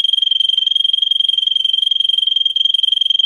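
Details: Russian canary bred for song, in a tutor recording for training canaries: a fast, even, high-pitched rolling trill with tightly packed pulses, unbroken for over three seconds.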